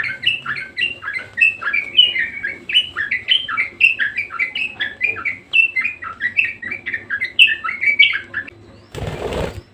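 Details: Budgerigar singing persistently: a fast, chattering warble of short varied chirps and squeaky notes running without pause, ended by a sudden burst of rustling noise.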